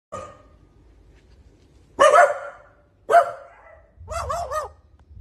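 An Australian magpie mimics a dog, giving gruff, bark-like bursts and a wavering whine.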